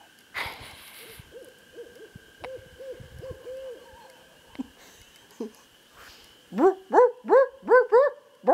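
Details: Barred owl called in by a person: a faint, rapid chain of hoots early on, a couple of isolated sounds, then six loud, sharply rising hoots in quick succession.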